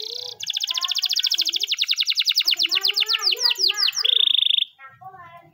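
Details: Morning training song from a canary: a long series of loud repeated notes sliding downward in pitch, finished by a short flat buzzy trill, with faint low chirps from other birds afterwards.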